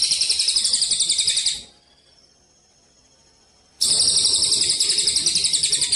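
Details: Javan munia on a contest-training recording with pauses: a high, buzzy, pulsing trill, a two-second quiet gap with a faint steady tone, then the rapid trill resumes at full strength.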